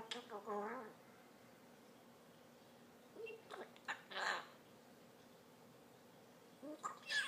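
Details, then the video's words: Pet African grey parrot trying to be cute: a wavering, voice-like harmonic warble at the start, a long pause, then short raspy bursts and a closing squeak. "My cute African grey talking"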